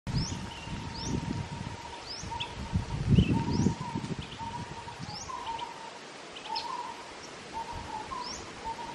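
Chestnut-headed bee-eater giving short, high chirping calls, repeated irregularly, over a steady low hum and wind.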